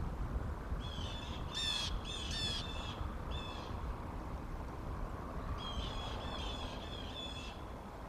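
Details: A bald eagle pair calls before the male's failed copulation attempt on January 9, 2023. Two clusters of harsh, high, stacked piping notes are separated by a pause, over steady low rumbling background noise.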